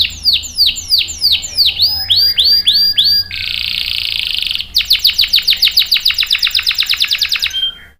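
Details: Domestic canary song used to lure and train young males: loud, high swept notes repeated in quick series, shifting to a rapid trill, then a sustained buzzy note and another fast rattling trill.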